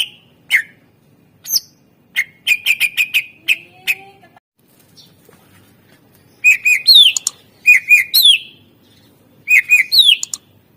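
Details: Greater green leafbird in full varied song, intended to spark singing in other birds: a quick string of piercing whistled notes, a short pause, then grouped phrases of two or three loud whistles rising into high sweeps.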